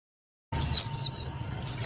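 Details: White-eye lure sound used for trapping and stimulating other white-eyes: after brief silence, a long high sliding chirp followed by a second sharp descending note.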